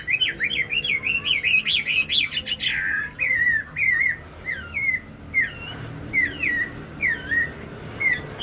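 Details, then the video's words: Wambi song used as a lure to stimulate other birds to sing: a fast run of wavering, rising whistles, then separate clear slurred whistled phrases repeated roughly every half second to second, with faint background rumble. "pancingan wambi gacor"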